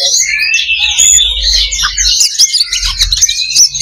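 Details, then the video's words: Oriental magpie-robin singing in a fighting simulation meant to build fighting spirit, a dense stream of high whistled and scratchy phrases with quick chatter, over a low hum and faint clicks. "SIMULASI LOBA BURUNG KACER || MENAIKAN MENTAL TARUNG / FIGHTER"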